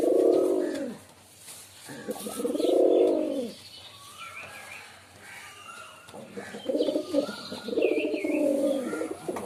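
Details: Deep pigeon coos in pairs, rising and falling, with scattered thin high whistles from other birds in the background.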